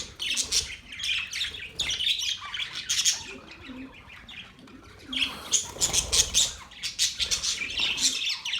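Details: Budgerigars calling in two busy bursts of harsh squawks and twittering warbles separated by a quieter spell of softer chirps, all high-pitched.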